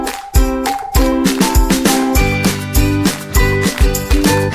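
Loud, bouncy music with regular plucked notes and beats, and no animal voice.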